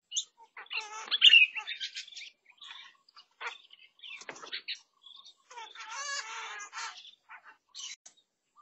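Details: Lesser necklaced laughingthrush, newly visiting a garden fruit feeder on 16 June 2022, gives a jumble of harsh, chattering and squeaky notes in scattered bursts, with a louder rasping flurry near the end.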